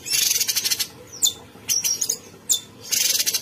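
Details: Cucak cungkok bulbul in steady song, opening and closing with rapid pulsed rattles, separated by high whistled and slurred chirps.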